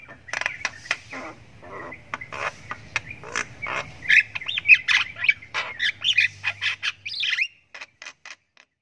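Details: Javan myna chick giving long ngriwik calls as it learns sounds: quick rasping chirps with a low hum beneath, building into louder squawks, then a few isolated clicks at the end.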